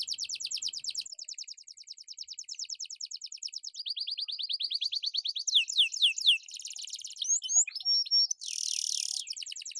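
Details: Singing Atlantic canary meant to trigger other birds and teach song: long even rolled trills changing speed and pitch, followed by sharp whistled slurs and a loud buzzing trill near the close.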